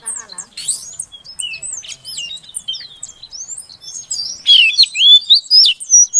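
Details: Female Oriental magpie-robin calling to prompt a male that has stopped singing: scattered thin whistles and twisting chirps, then a loud burst of rapid, sweeping notes near the end.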